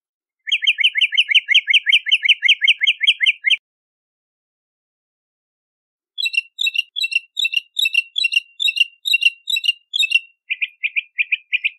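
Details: Bahama mockingbird repeating phrases in series: about sixteen rapid identical sharp notes, a pause, then roughly nine repeated complex chirps, followed by a lower phrase repeated four times. No other sounds.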